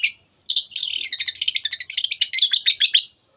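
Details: Energetic song of a long-tailed shrike, 'teot teot' style, meant to rouse other birds to sing: after a brief pause comes a continuous three-second rapid stream of sharp, scratchy high notes that pulse quickly.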